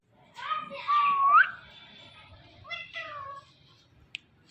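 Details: Talking Indian ring-necked parrot, a green pet bird said to say mummy papa, utters drawn-out, nasal, speech-like syllables, one sliding upward. Quieter short phrases and a sharp click follow indoors.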